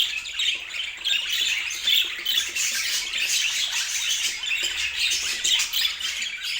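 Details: Several domestic budgerigars keep up lively chatter, presented as a soothing sound for better sleep; a constant mix of high warbled phrases, squeaks and scratchy notes with no pauses.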